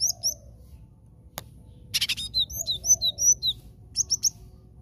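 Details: Lure call of the cinereous tit for trapping birds: a click, then a fast chattering burst flowing into a string of high slurred chirps, ending with three quick sharp notes.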